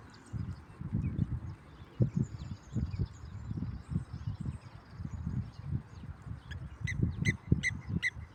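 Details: A blacksmith lapwing gives four sharp, metallic 'tink' notes in quick succession near the end, over steady low wind rumble.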